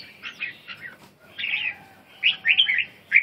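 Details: Song of a red-whiskered bulbul: a few soft warbled notes, then a fuller liquid phrase and a closing run of bright, bubbling whistles, with low background rumble.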